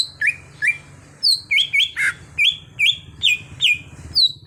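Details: Greater green leafbird (cucak hijau), a raw bird being trained to sing freely: a repeated pattern of high note followed by a lower slurred whistle, roughly two per second, with one rough burst midway and low hum behind.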